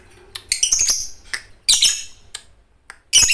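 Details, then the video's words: Fighter lovebird in vigorous song for training other birds: a jumble of harsh squawks and shrill chirps in irregular bursts, with short gaps of quiet between them. "MASTERAN LOVEBIRD FIGHTER GACOR || TES MENTAL BURUNG LOVEBIRD ANDA AGAR IKUT BUNYI !!!"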